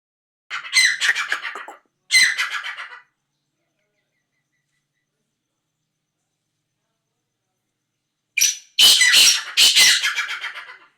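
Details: Black francolin calling: two harsh, grating, rhythmic bursts of about a second each, then a long silence before a louder series of scratchy, crackling notes, in a quiet setting with nothing else heard.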